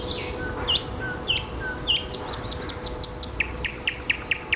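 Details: Thrush nightingale singing: a few upward-swept notes, then a fast run of sharp repeated clicks and chipping notes, over a steady low hum and background noise.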